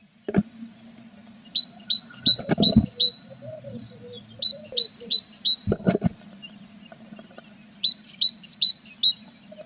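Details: Tit at a nest box with chicks, April; fast strings of paired high notes in three bursts, with thuds and shuffling inside the box.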